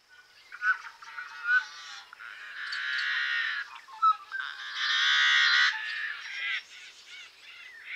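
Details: Yellow-headed blackbird chirps: harsh, buzzy, grating bursts of broad noise, several long rasping stretches broken by short sharp chirps, filling the whole eight seconds with no other sounds.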